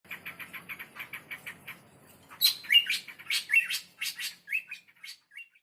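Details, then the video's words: Male bar-winged prinia (prenjak) calling a female. A faint, quick series of evenly spaced high notes is followed by a louder burst of sharp, varied chirps and brief whistled trills. "suara burung prenjak jantan memanggil betina"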